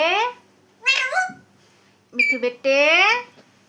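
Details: A pet Alexandrine parakeet talks, producing four short, speech-like phrases with rising, nasal, word-like tones, separated by brief pauses in a quiet room.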